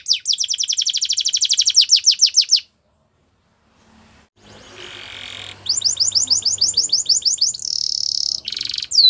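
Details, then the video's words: Russian canary singing as training song for canaries: a fast trill of steep downward notes for over two seconds, a silent gap, a soft low hum, a buzzy steady note, then more rapid repeated trills and a high buzzing phrase "The Best Canary Training | Russian Canary Singing"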